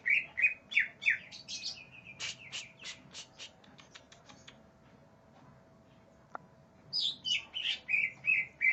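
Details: Aggressive greater green leafbird challenging rivals, with rapid repeated whistled notes, then a fast series of harsh clicking rasps, a quiet gap with one sharp click, and a return of loud repeated whistles.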